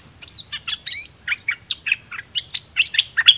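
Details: Red-whiskered bulbul decoy calling to wild birds. Softer, varied chirps and short rising and falling whistles come at uneven spacing, growing slightly louder toward the end. A constant high-pitched hum is audible.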